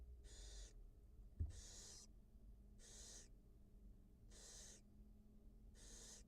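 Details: Wild barn owl feeding two newly hatched chicks at the nest: steady, evenly spaced rasping hisses, five in six seconds, each around half a second, with a single sharp tap early on.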